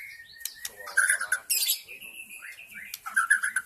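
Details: Forest white-rumped shama, a lure for attracting wild birds: a held steady whistle, then bright bubbling notes, a harsh rasp, another long flat whistle and a final burst of quick liquid notes.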